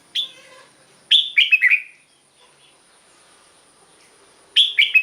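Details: Red-whiskered bulbul song to excite caged birds: one sharp note, then a quick phrase of four bright slurred whistles, a pause of over two seconds, and the same phrase again.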